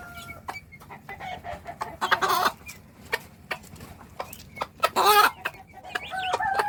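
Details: A mother hen calls her chicks to eat with scattered low clucks, broken by two harsh, noisy squawks. Thin, rising chick peeps are heard near the end.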